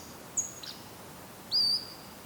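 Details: Pacific-slope flycatcher singing in the morning in mainly broadleaf forest at Bear Creek Nature Park near Oyster River, Vancouver Island: a brief sharp chip, then a rising, slurred 'su-weet'. Soft forest hiss in the background.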